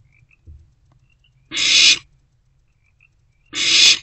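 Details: Barn owl owlet in a nest box at night, 16 March 2024, around 1:22–1:30 am, after a rodent is delivered; two harsh, hissing screeches about half a second each, two seconds apart.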